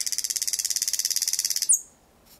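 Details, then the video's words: Night-singing thrush nightingale in Kiili parish, 8 May 2020, 01:23, about 4 to 5 metres from the recorder. A fast, high, even rattle of about fourteen pulses a second runs for almost two seconds, then ends in a brief sharp note. "Ööbik väga lähedal laulmas"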